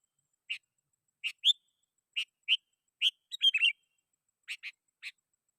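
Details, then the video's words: Sooty-headed bulbul singing to call rivals, played to lure wild birds: sharp chirped notes at irregular intervals, with a quick tumbling warble in the middle, over a quiet background. "Suara Burung KUTILANG GACOR Ampuh 100% Bikin Kutilang Lain Ikut Bunyi"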